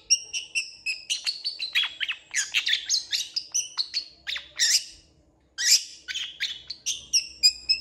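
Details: Long-tailed shrike in busy full song with many imitated fillers: rapid strings of squeaky, harsh notes and clear high whistles, broken by one brief pause before the chatter resumes.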